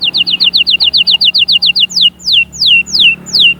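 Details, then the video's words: Canary song intended to get chicks singing and prepare females: a fast series of short falling whistles, about five per second, then slower long sweeping notes falling from high to mid pitch. "غناء وتحفيز خرافي لأجبار الفروخ على التغريد وتجهيز الأناث فورا جربهاcanari bird singing"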